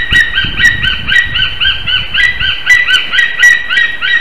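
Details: White-tailed eagle calling at its nest in Slītere, Latvia, during mating and pair bonding, 26 February 2021, morning; quick yelping notes, uneven in spacing at first, then sharper and more insistent, with faint low rustling beneath.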